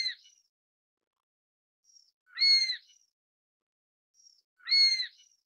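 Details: Chinese goshawk giving piercing, high-pitched whistled calls with a rasping quality, evenly spaced about every two and a half seconds, soft preceding ticks, clean recording without background noise.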